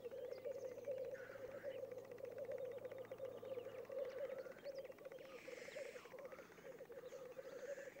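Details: Black grouse at a lek: continuous low bubbling, cooing chorus running steadily throughout, with occasional hoarse hissing sneezes and faint other birds in the background.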